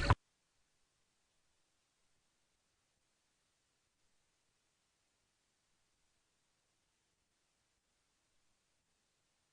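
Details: Near silence throughout, broken only by one brief click at the very start.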